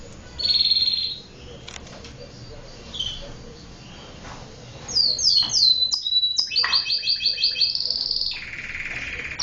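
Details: Domestic canary singing: scattered high notes, then a quick series of descending whistles leading into a fast, rhythmic trill of repeated chirps and a lower buzzy ending.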